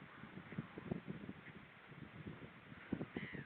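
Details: Hooded crow at 06:40 on 28 August 2013, near seals, gives a harsh, rasping caw near the end, over a steady run of low, knocking grunts and rumbles.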